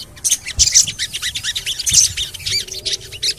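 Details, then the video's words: Quick series of squeaky, high-pitched chirps from a crimson sunbird (sogon), densely packed and slightly harsh. The recording serves as a lure to get other birds calling. "TERAPI SOGON MALAS BUNYI❗PAKE AUDIO INI DIJAMIN BURUNG SOGON MANAPUN PASTI IKUT BUNYI GACOR NGLEPER"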